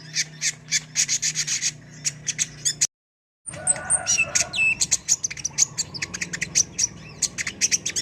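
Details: Kolibri ninja sunbird in energetic, full song recorded as a tutor track: dense bursts of sharp high chirps and rapid twittering trills, broken by a brief silent cut near three seconds, with a low steady hum underneath.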